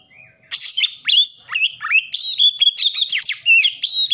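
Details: Oriental magpie-robin (kacer) in full song, a rapid, loud, varied stream of whistles, sharp rising and falling notes and scratchy chatter, starting after a soft half-second lead-in, with no other sounds.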